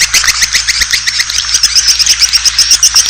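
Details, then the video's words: Swiftlet lure sound for attracting Asian swiftlets: quick repeated high chirps, about four a second, sliding into a rhythmic series of thin whistled twitters. "SUARA -PANGGIL WALET ASIA"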